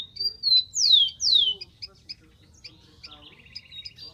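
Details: A wild rufous-collared sparrow gives a long level whistle, then two loud, clear, downslurred whistles, followed by soft high chips and a fine, fast trill.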